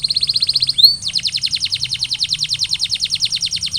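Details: Canary song used to prompt silent canaries to sing: a quick high trill, a single upward-curving whistle, then a long even roll of sharp repeated notes, steady and bright.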